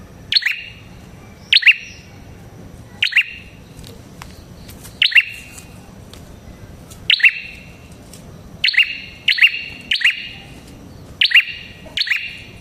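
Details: Song of a red-headed prinia, used as a lure for prinias: piercing chirp bursts repeated at uneven intervals, sometimes in quick clusters of two or three, over faint hum.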